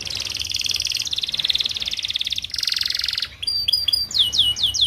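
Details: Canary song played to tutor young flock-kept canaries to sing sooner; long fast buzzy rolling trills at shifting pitches, ending in a run of sharp downward-sweeping whistled notes.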